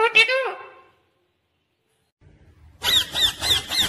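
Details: Indian ringneck parakeet, a green parrot, with a short burst of speech-like harmonic sound, a pause, then four rhythmic harsh, high squawks.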